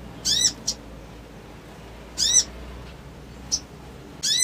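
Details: Crimson sunbird chirps meant to stir an emotional response and quick reply: sharp high descending notes, each followed by a short softer chip, repeated at irregular intervals with a low hum behind.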